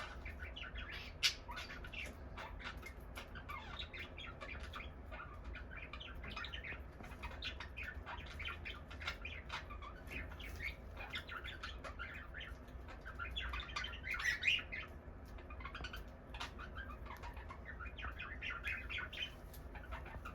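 Cockatiels chatter with quick, scratchy chirps and squawks over a low indoor hum.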